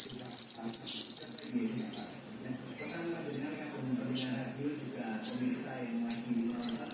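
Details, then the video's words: Black-winged myna song: a clear, falling high whistle, then a stretch of sparse clicks and chirps over a low drone, ending as the long whistle starts again. "BURUNG KINOI GACOR MATERI MEWAH | KINOI ISIAN"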